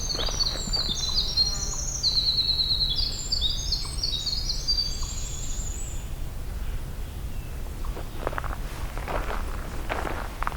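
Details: A Winter Wren singing very close to the trail on the hike back from Hector Falls pours out a long, very high tumbling song of rapid trills and twitters lasting about six seconds, over low rumble, followed by footsteps.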